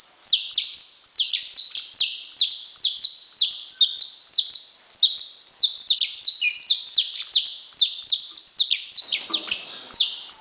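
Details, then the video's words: Long, continuous saffron finch song: dense, energetic streams of high sliding notes, each falling in pitch, packed closely for over ten seconds. A brief low rustle comes near the end. "Canário da terra"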